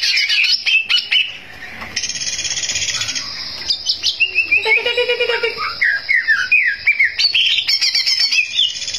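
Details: Energetic greater green leafbird song meant to enrage rivals: varied loud phrases, a burst of rapid chatter, then a string of quick rising and falling whistled notes at a fast pace.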